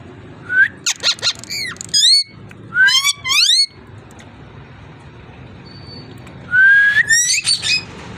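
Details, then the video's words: Ringneck parrot calling in bursts: a clipped whistle, rapid harsh chattering squawks, then a pause before a rising whistle followed by scratchy squawking notes, over faint background noise. "Amazing ringneck parrot talking and voice"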